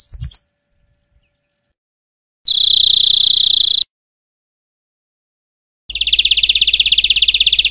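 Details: European greenfinch song outdoors: a brief high twitter, then two separate bouts of fast, steady, buzzy trilling, each lasting one to two seconds, with silent gaps between.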